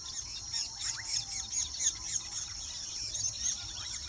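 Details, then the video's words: Wild weaver birds at the nest produce a rhythmic, pulsing, high buzzy chatter with quick squeaky upward notes, about three or four bursts each second. "sights sounds of weaver birds intricate nesting habits in nature wild"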